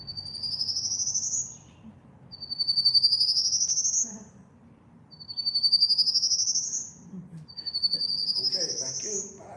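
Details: A Prairie Warbler in the dwarf pine plains of Long Island's Pine Barrens sings a thin, buzzy series climbing steadily higher, like a jet engine warming up, repeated four times about every 2.5 seconds over a faint murmur.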